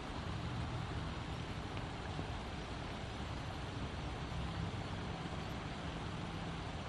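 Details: Even, rushing wind noise buffeting the microphone with a distant engine-like rumble, and no animal sounds audible.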